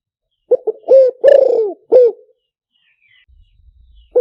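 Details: Spotted dove lure call for use through a loudspeaker: two short soft notes, then a long hoarse descending coo and a final clipped coo, with a brief faint chirp afterward and another phrase starting at the end.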